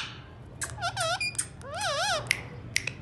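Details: Indian ringneck parakeet talking: squeaky, wavering speech-like phrases with rippling tones rising and falling, then sharp clicks, against a faint indoor hum.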